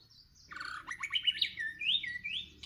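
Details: Northwest Vietnam white-rumped shama, trapped during a fight with a rival. It pours out a loud, fast jumble of warbled whistles, quick rising and falling notes and upslurred phrases, ending with a sharp note. Background is otherwise quiet.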